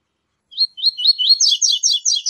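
A Double-collared seedeater sings a rapid, high phrase of about a dozen twittering notes that climbs and speeds up toward the end, with no other sounds.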